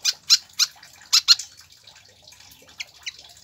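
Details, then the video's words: Pied fantail notes used to get caged birds singing: loud, high, clipped chirps in a cluster at the start, then a pause and two fainter sharp notes. "PANCINGAN DAN MASTERAN SIKATAN KIPAS AGAR CEPAT GACOR"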